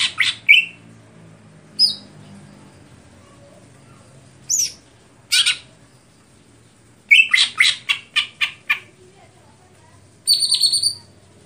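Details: Greater green leafbird (cucak hijau) giving harsh, squawking bursts at irregular intervals, then a quick run of about six clipped, buzzy notes and a final raspy, ringing phrase; a faint low hum sits underneath throughout.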